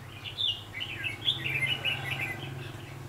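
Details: Spirited, fighting red-whiskered bulbul (chào mào) heard while being trapped on 4 October 2016, giving quick, lively, slurred whistled phrases strung closely together over a constant low background hum.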